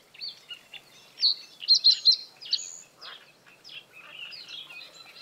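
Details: Male common reed bunting singing in breeding season from reeds above water to hold territory; one phrase of three quick ringing chirps amid a busy background of other small birds twittering.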